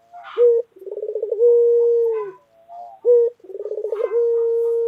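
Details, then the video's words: White collared dove of a local type, calling in the 'dor' manner. Each phrase opens with a short accent, rolls into a quick pulsing trill, and settles into a sustained level coo. Two phrases are heard. "Puter Lokal Gacor Suara Keras | Pesona Suara Kicau Burung Puter Putih Gacor Dor Yang Menawan"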